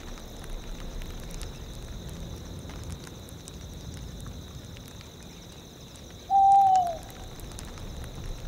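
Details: Tawny owls in a tundra soundscape: one clear, smooth hooted note, held briefly and dipping slightly at its end, rises once over a steady rush of wind and a continuous high, thin chirring of crickets.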